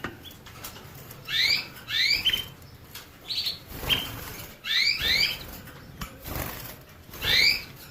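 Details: Canary singing in short bursts of bright, rising chirped notes, often doubled, spaced about a second apart, over a steady background hiss and faint pattering noise.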